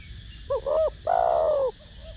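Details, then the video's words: Spotted dove in the 'thổ đồng' voice style, cooing to encourage decoy birds to call: one clear phrase of a short doubled note then a long, gently dropping hoot, followed by a soft quiet note. "Cu gáy Gù,Thúc giọng THỔ ĐỒNG kích mồi tập bổi rất hiệu quả/Cu gáy Giọng Thổ Đồng kích bổi nhanh gáy"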